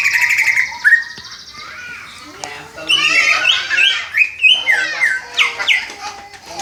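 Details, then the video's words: Young greater green leafbird still learning its song, imitating the 'Om Telolet Om' bus horn; a drawn whistle and a short pause lead into buzzy chatter and a run of sharp, repeated, downward-sliding whistles. "Cucak ijo belajar berkicau "Om Telolet Om""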